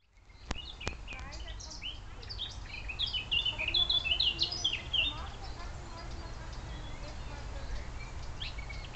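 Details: Several wild birds twittering on the outskirts of Munich, Bavaria: brief high chirps and short trills cluster in the middle, over a steady low rumble of background noise, with two sharp clicks near the start.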